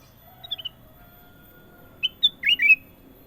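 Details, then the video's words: A ruby-throated bulbul (kutilang emas) gives brief chirps, then after a gap a bright phrase: two crisp whistles and a rapid, bouncing series of warbled notes. Faint low background hum. "KUTILANG EMAS PALING MERDU! Suara Gacor Panjang"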